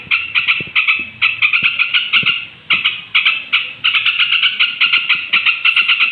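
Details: Straw-headed bulbul at bedtime, sung to provoke rival bulbuls: rhythmic phrases of quick, harsh repeated notes, each burst under a second long, following one another almost continuously, with faint clicks in the background.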